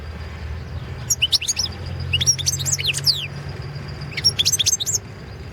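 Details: European goldfinch of the Balkan subspecies Carduelis carduelis balcanica, entered in the 2017 internet World Championship in goldfinch song held by a Serbian breeders' association: three bursts of high, liquid twittering notes over a low steady hum.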